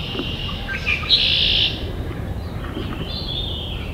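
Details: Wood duck at a nest box during egg-laying on 11 May gives a thin, high squealing note that rises and wavers, followed by fainter squeaky calls, over a steady hiss and low rumble.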